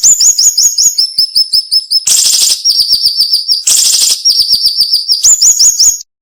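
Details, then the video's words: Piercing, tightly spaced cinnamon-bellied flowerpecker song, a style prized for training songbirds: continuous strings of thin high chips with twin harsh buzzy outbursts in the middle, ending abruptly. "MASTERAN SUARA BURUNG SIRI SIRI NEMBAK TAJAM"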